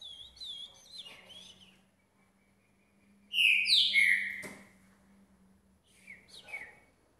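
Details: A green-winged saltator, about two years old and kept in a cage, sings after bathing in 6 °C weather. Soft wavering whistles come first, then the loud three-part falling phrase, and quieter notes after it.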